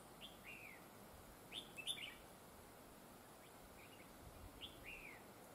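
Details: Red-whiskered bulbul singing during a trapping session with a decoy bird, noted for a fine voice with linked double phrases; several short, bright, slurred whistled phrases, some in quick pairs, over light steady background noise.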